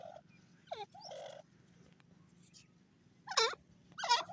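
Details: Grey francolin (Ortygornis pondicerianus) call: loud, harsh, wavering notes in two short bursts, over a steady low hum.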